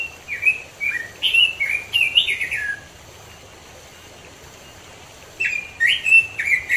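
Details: Robin in the wild, mountains of East Java, Indonesia: a long cascading phrase of slurred clear whistles, a pause of a few seconds, then another energetic warble.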